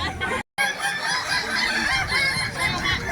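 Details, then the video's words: Kukuak Balenggek roosters, a singing chicken breed of West Sumatra, crowing at a contest before hundreds of fans; overlapping long, tiered, harmonic crows layer densely, with a brief dropout near the start and crowd murmur behind. "lomba ayam kukuak balenggek"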